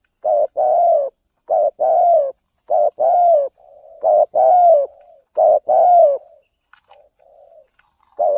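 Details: Decoy spotted dove on an outing to lure wild birds in another province: a rhythmic series of low, mellow two-part coos, a short note then a longer falling one, about every second, with soft fainter coos between.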